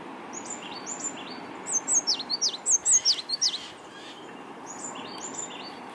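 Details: Wild African blue tit, a one-eyed, one-legged survivor of an attack, singing and calling back on a windy day: a run of high, sharp down-slurred notes in a quick series mid-clip, with quieter thin phrases before and after over steady wind noise.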